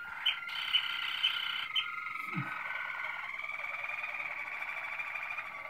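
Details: Male-type Malinois Waterslager canary song, 2016: a few high clicks over a steady, rolling trill that runs on as a long, even warble.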